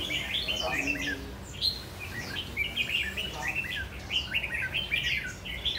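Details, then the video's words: Red-whiskered bulbul singing hard in a tall square cage with four corner perches: a lively run of bright, chirpy whistled notes, repeated rapidly in short sweeping phrases, with faint background noise. "Chú chim lồng vuông cao 4 cầu góc của mình rồ ché hay quá"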